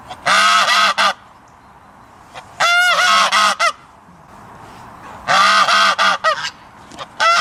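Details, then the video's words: A goose gives loud, harsh, nasal honks in quick clusters of several notes, bursting out roughly every two and a half seconds over a quiet background. "Tunog ng GANSA | Sound of GOOSE"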